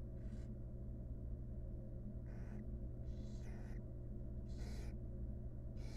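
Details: A barn owl mother preening her chicks in a monitored nest box: around six rasping hissed bursts, some doubled, over a steady low-pitched hum.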